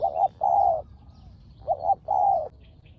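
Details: Spotted dove answering a decoy during trapping in Thailand; two hoarse coo pairs, each a clipped note followed by a drawn-out slightly falling one.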